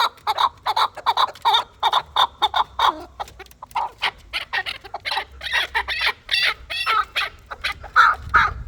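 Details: Chukar partridge raised for fighting: evenly spaced clucks about three per second, thinning briefly, then building into louder, harsher chuck notes.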